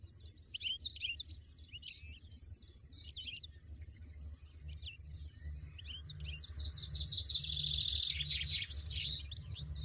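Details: Wild European goldfinch in nature, singing a lively, jumbled twitter of high chirps and tinkling notes, with steady buzzy trills in between and a longer run of fast trilling near the end, over a low background rumble.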